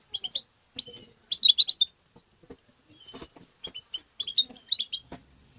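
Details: Goldfinch song in the tabta style, meant to stimulate goldfinches: quick, liquid twittering phrases of bright high notes, some buzzy, coming in clusters with short silent gaps.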